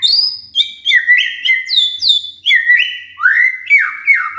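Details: Quiet shama encouraged with a lure recording: continuous rich, varied whistled song with downward-sweeping high notes and a closing series of repeated slurred phrases.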